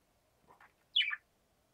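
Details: Rook sitting on an antenna: two faint low rustly notes, then one louder, rasping call dropping in pitch and lasting about a quarter second, with near silence around it.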